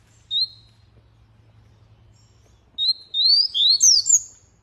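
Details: Canary giving one high upward whistle, falling quiet for over two seconds, then bursting into a quick run of rising whistles and twisting high chirps.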